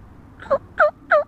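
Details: Three loud, clear slurred notes in quick sequence from a wild turkey hen recorded close by on March 22, 2017.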